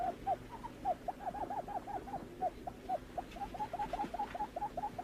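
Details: Lineated barbet calling: rapid runs of short, hooked, hollow notes at a mid-low pitch, delivered in quick overlapping series with brief gaps, against a quiet background.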